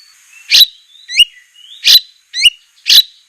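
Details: Training recording of a captive white-rumped shama: five sharp notes about every 0.6 seconds, alternating explosive buzzy bursts with quick upward-flicking whistled slurs, clean background.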